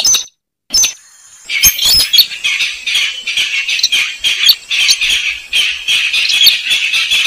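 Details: Slaty-breasted rail (weris, sintar semak) lure call: a couple of short raspy notes, then a long unbroken stream of harsh rapid squawks running to the end.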